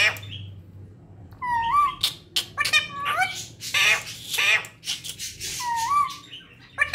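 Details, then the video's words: Talking pet parrot mixing curling whistled notes with rapid, noisy, speech-like chatter and clicks, ending with another rising whistled note. "mera pyara tota"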